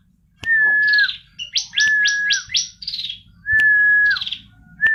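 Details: Singing female bar-winged prinia gives long flat whistles that dip at the end, then a run of quick rising high sweeps and buzzy falling trills, with faint clicks.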